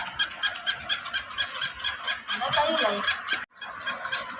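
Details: Black francolin, a Sindhi black type, with grating notes repeated about twice per second. The notes thicken into a dense burst midway, then pause briefly and resume.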